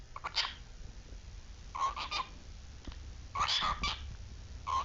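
A cockatiel gives short, harsh chirping calls in scattered bursts.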